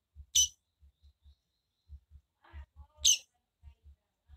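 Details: A calling female double-collared seedeater, used to provoke males, gives two sharp, high, burst-like notes about three seconds apart, over soft repeated low tapping.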